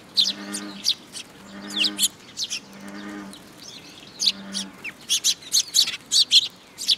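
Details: Eurasian tree sparrows at a feeding spot on a post at a Tenmangu shrine, 26 June 2022; several low droning tones alternate with chirps early, then a rapid string of bright high chirps.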